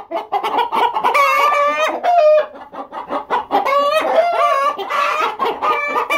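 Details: Hens and a rooster in a loud chorus: overlapping nasal clucks and drawn-out cackles, with a long rooster crow standing out near the middle, all close and continuous.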